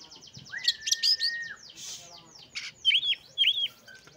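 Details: Song of an oriental magpie-robin, meant to coax slow, reluctant birds into singing. A sustained whistle sits beneath rapid chattering notes, followed by a brief rushing sound and two downward-swooping whistled phrases.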